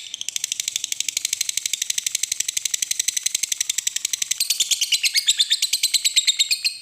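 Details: Lovebird, a fighter-type bird, in a long "ngekek" trill: a rapid chattering run of harsh notes, roughly three per second, held steadily for seven seconds and growing louder and denser near the end.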